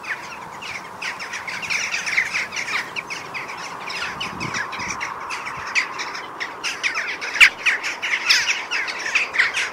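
A flock of jackdaws chatters with a steady stream of short, sharp, overlapping 'tchack' calls, a busy, squabbling din with no pauses.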